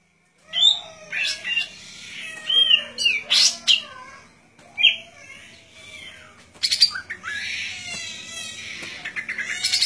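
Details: Golden-fronted Leafbird (Chloropsis aurifrons) singing a fast, varied medley of clear whistles, slurred rising and falling notes and harsh chattering bursts, with a faint low hum behind.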